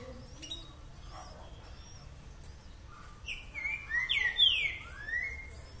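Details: A green-winged saltator in boca mole boi song style opens with soft, scattered high notes, then bursts into a loud phrase of rich, down-slurred whistles in the final two seconds.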